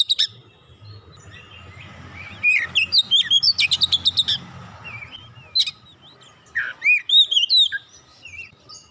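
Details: Oriental magpie-robin song used as a lure for a bird that has stopped singing: scattered whistles building to a rapid series of sharp clipped notes, then looping rising whistles, with faint low background noise.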